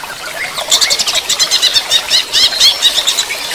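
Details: Rapid, evenly spaced high metallic notes from a greater green leafbird during running-water therapy, starting after a brief hush and running as a bright, pulsing trill to the end.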